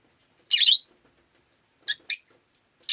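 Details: Rosy-faced lovebird (Agapornis roseicollis) kept as a pet, heard on a rainy day: one harsh, broadband chirp, then two short sharp chirps close together and the start of another.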